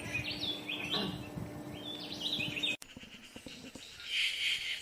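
Yucatan jay giving a run of squeaky, nasal calls in stepped notes, then a brief harsher burst after a break, over a low steady hum.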